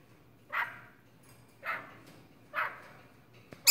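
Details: Pet male starling, usually very vocal, barking like a dog after going quiet: three short, hoarse bark-like bursts spaced about a second apart, with faint low hum behind.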